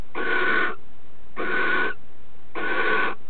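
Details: Female barn owl accepting the male's mouse as a bridal gift before mating, mouse held in her bill. Three broad, airy hisses, about half a second each, come at an even rhythm just over a second apart.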